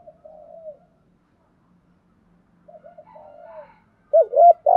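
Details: Soft falling purred coos from a spotted dove in 'thúc gù' style, a faint low hum beneath, then a second quiet phrase of stuttered notes before loud, close rounded coos to finish.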